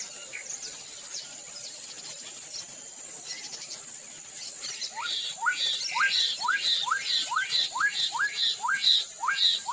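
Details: Black-capped donacobius, a bird of swamps and wet meadows in South America that lives in pairs: rapid series of rising whistled upslurs, growing louder, about two per second, mixed with harsh higher notes.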